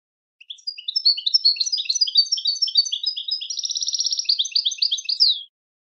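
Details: Long European goldfinch song of fast tinkling chirps, then a rattling buzzy trill in the middle, more twitters, and a final drawn-out buzzy note; clean background.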